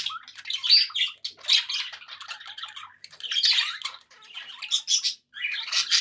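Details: Happy pet budgerigars chattering: bursts of scratchy, warbling squawks and chirps in quick phrases, with brief pauses between bursts.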